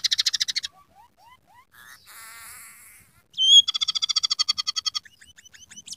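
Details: Scaly-breasted munia song laced with imitations of sparrow, red siskin and canary: fast rattling trills, thin rising whistles, a buzzy passage and a sharp piercing note, several patterns following in quick succession.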